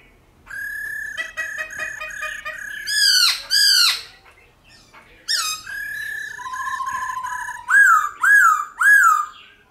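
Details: Black-throated laughingthrush song in a wild-type, varied style for training wild-caught birds to sing: a steady stuttering whistled series, harsh sweeping squawks, a low sustained whistle, then three strong looping whistles.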